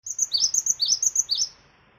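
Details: Cinereous tit song used as a lure recording to prompt other birds to sing: about six quick, clear whistled two-note phrases, each dropping in pitch, delivered in a rapid run over roughly one and a half seconds, then silence.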